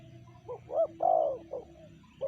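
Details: Tekukur or spotted dove, sanji style of call: a brief run of soft low coos, rising to one longer emphatic note, then tapering, with a faint steady tone underneath.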